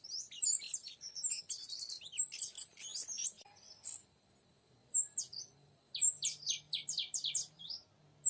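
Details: Oriental magpie-robin, a young wild male in forest, being lured: bursts of high, sharp whistled and chattering notes, then a pause and a run of quick downslurred whistles, over a faint low steady hum.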